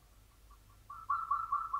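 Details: Local zebra dove, a champion singer in the classic Mataram rhythm style, starting with faint soft notes and then swelling into a louder, steady cooing phrase near the end, over a low background hum.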